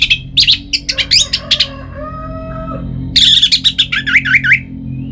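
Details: Kept Orange-headed Thrush song used to coax caged birds into singing: a long run of varied, rich whistled phrases and sharp chirps, with low sliding notes mid-way and a rapid wavering trill near the end.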